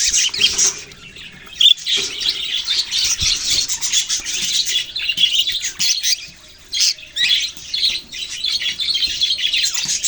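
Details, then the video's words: Budgerigars chirping as a flock, recorded on November 6, 2023. Dense, raspy twittering fills the whole stretch, with two brief lulls in the middle before the chatter swells again. "Budgies beautiful colours and chirping sounds"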